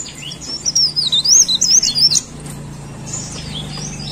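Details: A leaf warbler gives one fast phrase of about ten pulsed, wavy whistles lasting under two seconds, then goes quiet apart from a faint later twitter and low background hum.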